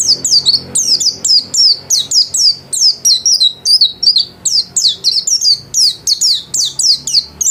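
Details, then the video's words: White-eye kept in a cage at home sings steadily: roughly twenty-five high, downslurred chirps in under eight seconds, evenly paced and loud, with a clean, quiet background. "Burung pleci gacor kelas rumahan"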